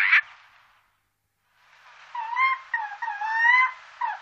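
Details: Eurasian jay recorded in the Wittlicher Tal in 2018: one short harsh note, a pause, then a run of tonal, wavering mewing notes with bent pitch, ending on a brief downslur.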